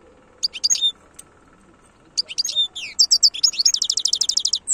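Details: European goldfinch delivering khloui song: a short twittering phrase, a pause, then a longer outpouring of bright slurred notes and fast repeated high chips running to the end.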